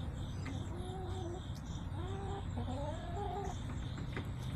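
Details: Backyard chicken flock filmed by a yard camera on September 20, 2024; a few short, tonal, slightly nasal hen calls come in a loose run mid-clip over a steady low outdoor rumble.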